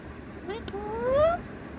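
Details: A pet rose-ringed parakeet mimics human speech, repeating phrases like "Me too": a single nasal, voice-like phrase rising steadily in pitch for about a second, over a faint low hum.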